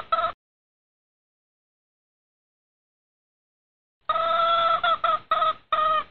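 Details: Red junglefowl hen, breeding season, calling the rooster: a single brief cluck, a long silence, then a cluster of harsh, slightly drawn clucks in close succession.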